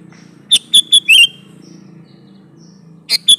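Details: A sooty-headed bulbul sings energetically as a lure for others of its kind: a run of four clear, whistled notes ending in a slurred double note, then two more notes after a pause, with a low background hum.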